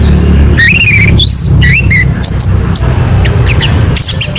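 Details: Orange-headed thrush singing as a lure to prompt a bird to sing: clear looping whistled phrases at first, then scattered thin high notes, all over a continuous deep rumble.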